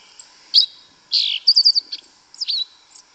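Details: Yellow-legged thrush singing in Brazilian forest: brief varied phrases of high whistled and buzzy notes, a slurred buzz, then a quick run of four chirps and a final looping whistle, with a steady high hum behind.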